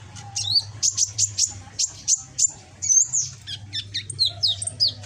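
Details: Juvenile caged sunbird, red-backed and greenish, learning to sing: a run of evenly spaced, piercing high chips about four per second, then twisting whistled notes, with a low droning hum behind.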